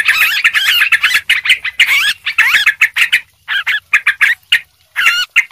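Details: Noisy yellow-vented bulbul calls used to lure birds: a fast jumble of liquid, warbling notes at first, then thinning to scattered short chirps and a final warbled phrase.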